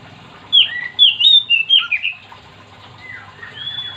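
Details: Oriental magpie-robin in vigorous song, aimed at getting other magpie-robins to sing: a burst of about seven loud, slurred whistles rising and dropping, then quieter, descending trilled notes and a thin high whistle.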